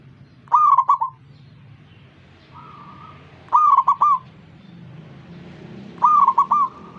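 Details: Zebra dove singing and prompting other zebra doves to join in: three loud rolling, stuttered cooing phrases about 2.7 seconds apart, each a quick run of three or four notes, with a fainter answering coo from another dove between them.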